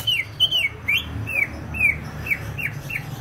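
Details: Greater green leafbird from Banyuwangi singing energetically, giving a string of clear downslurred whistles about every third of a second, each sliding from high to lower, over a faint low background hum.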